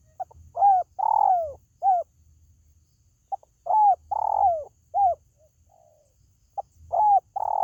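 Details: Spotted dove calling to lure pet birds at home: low, mellow cooing phrases, each a short soft note followed by a longer drawn-out coo, repeated in groups with pauses of about two seconds between them.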